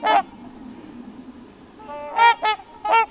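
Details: Autumn Trumpeter Swans at Crex Meadows in western Wisconsin; one loud nasal honk, a quiet lull, then three trumpeting honks in quick succession, set against a faint low hum.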